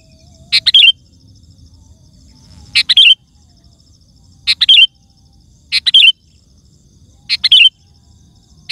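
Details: Vocal sooty-headed bulbul, played to lure wild birds in forest and garden: five short, rich warbled phrases at uneven intervals of one to two seconds, each ending in a sliding note, with a faint continuous high tone.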